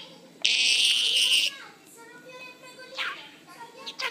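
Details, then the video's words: A pet budgerigar, encouraged to sing, lets out a harsh, buzzy screech of about a second, then thin, high-pitched, speech-like warbling chatter broken by a few sharp chirps. "la perruche parle-t-elle avoir/ does the parakeet speak have/ هل طاءر البادجي يتكلم ويقلد الاصوات"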